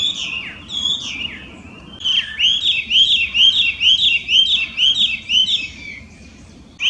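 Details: Loud song of a wild Chinese hwamei, an introduced invasive species in Japan: a few varied whistles, then a fast run of about ten bright looping whistled notes repeated in quick succession.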